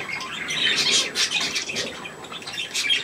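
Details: Kept budgerigars and their young around millet, a steady blur of raspy squawks and thin chirps from several birds, with a soft wing flutter.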